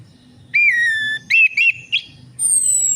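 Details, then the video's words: Orange-headed thrush, recorded as a lure to encourage singing. A long, clear whistle slides slightly downward, then two short rising-falling whistled notes and a quick flourish follow, ending on a thin, very high sustained whistle. "PANCINGAN ANIS MERAH AMPUH INI, ATASI SUSAH BUNYI ANIS MERAH"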